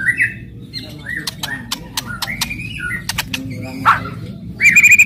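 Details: White-rumped shama singing aggressively to provoke other shamas: loud crackling and shooting notes, sharp vertical clicks mixed with short whistled slurs and a bright rising note at the end, over a steady low hum.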